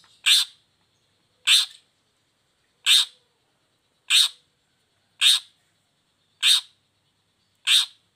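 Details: Repeated scratchy shrieks of a long-tailed shrike, played to prompt moulting or idle shrikes to sing: seven near-identical harsh notes, evenly spaced about every 1.2 seconds.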